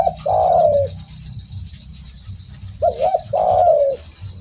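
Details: Spotted dove calling actively: a long, rich coo that falls in pitch, then after a pause a short wavering note and another drawn-out descending coo, with a faint steady high tone and low rumble beneath.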